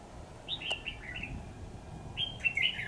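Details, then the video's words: Red-whiskered bulbul kept as a decoy for trapping, recorded 28 September 2019. A descending series of four rounded whistled notes, a short pause, then a bright, squeaky, tumbling warble; faint low hum beneath. "Bẫy chào mào Mào đinh lân hầu bò"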